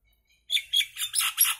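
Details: Common myna giving a string of five buzzy, grating notes that run closely together, growing rougher and noisier toward the end.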